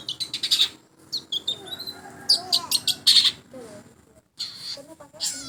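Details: Long-tailed shrike singing in a sound test: harsh, scratchy high bursts and short buzzy notes in quick irregular groups, a brief pause near the fourth second, faint lower murmurs beneath.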